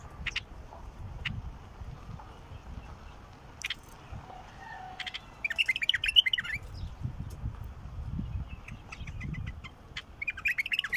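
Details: Bulbul song, used to coax a silent bulbul into singing: brief high chirps and short warbled phrases bunch together midway and again near the end, over steady low rumbling background noise and scattered clicks.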